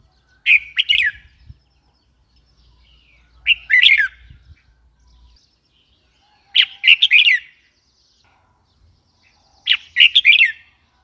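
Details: Red-whiskered bulbul delivering four clear, quick chirping phrases, each a bubbly cluster of notes, roughly every three seconds against near silence.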